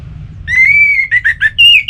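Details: Orange-headed thrush (Geokichla citrina) from Singaraja, northern Bali, singing a long, clear whistled note followed by a quick run of varied warbled phrases over a faint low rumble; a relaxed song used to stimulate captive birds that have stopped singing.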